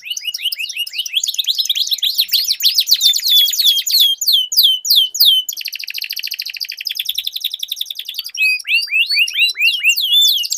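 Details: Two canaries dueling in song: dense tumbling whistled phrases, a fast buzzing roll in the middle, then renewed quick sweeping notes.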